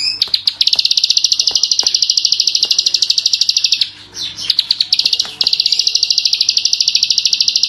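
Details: A klik-klik bird bursts into a long, rapid, high chattering trill. A brief lull of softer, mixed notes comes near the middle before the fast buzzy stream returns and runs to the end.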